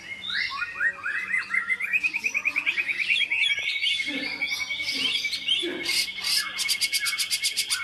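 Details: Medan-type white-rumped shama from Medan parent stock delivering varied whistled phrases that lead into a steady rapid trill, then close with fast high pulsed rattles.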